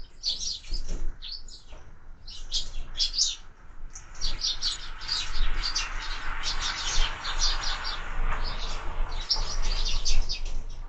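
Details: Sparrows feeding at feeders mounted on a window, giving dense overlapping high chirps and tweets throughout, with soft background rumble.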